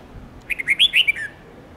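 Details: Red-whiskered bulbul song played to help young birds learn varied songs: a lively phrase of about seven quick whistled notes that rise, peak in loud bright notes, then fall into a trailing slur.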